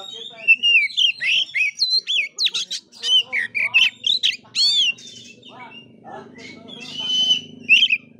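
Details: Oriental magpie-robin singing in a fighting style called kura-kura: loud, varied phrases of rising and falling whistles, sharp slurred notes and chirps in quick bursts, fading after five seconds to a softer trill, over a low steady hum.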